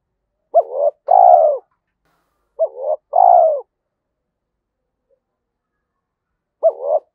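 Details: Spotted dove cooing in the 'giọng thổ' voice style, used when setting traps in the forest: three phrases, each a short rising note followed by a longer, mellow, slightly falling coo, spaced a few seconds apart in silence.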